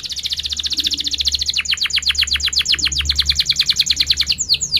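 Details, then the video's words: Canary in sharp rolling song for pupils learning to sing: a fast even trill of tiny repeated notes, shifting into longer downward-dropping strokes about eight per second, ending in a few high swooping chirps; low hum beneath. "Kenari Gacor Cuit cuit NgeroL TAJAM | untuk Pancingan kenari Paud belajar Bunyi & kenari MACET BUNYI"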